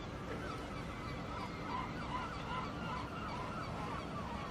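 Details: Gulls on a lake call in an overlapping chorus of short, nasal, slightly wavering cries, several each second, set against constant low wind and lapping-water noise.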